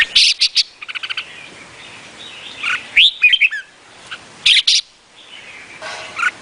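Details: Vietnamese red-whiskered bulbul singing. Quick clicking note series and sharp chirps open the passage. A lilting, warbled phrase comes midway and more chirps follow later, with pauses in between.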